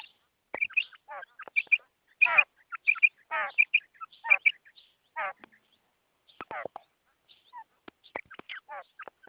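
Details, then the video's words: Female quail giving bursts of high, clipped double notes and rough, rasping downward calls, about ninety per minute. There is a brief lull midway before the calling resumes. "Female quail sound,Madi batair ki awaz,mada barair ki awaaz,bater ki awaaz"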